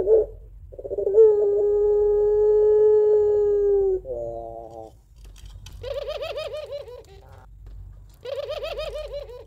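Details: Puter pelung, a Barbary dove used at home as a lure for other doves, sings its long crying two-note call: a sustained level tone about three seconds long, then bursts of rapid wavering coos.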